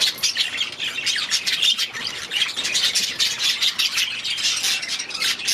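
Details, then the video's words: Aviary budgerigars squawk and warble in overlapping bursts, harsh scratchy notes alternating with high chirps in a lively, unbroken flock chorus. "6 Hours of Budgies in their Aviary"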